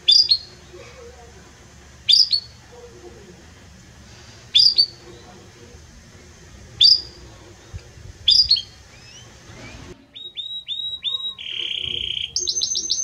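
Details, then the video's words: Belgian canary with strong, warm song: five sharp chirped notes spaced about two seconds apart, then a burst of song with repeated whistles, a buzzy rattle and a high held trill. "Canto forte e muito quente deste Espetacular Canário Belga | Canary Singing"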